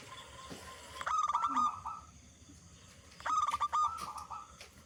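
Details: Local zebra dove, a big-voiced bird used to lure other zebra doves into singing, gives two clipped cooing phrases of fast pulsed notes over a background hiss.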